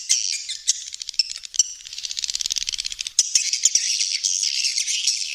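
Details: Swiftlet sounds mixing a rapid rattling burst of evenly spaced clicks in the middle with shrill, dense twitters before and after.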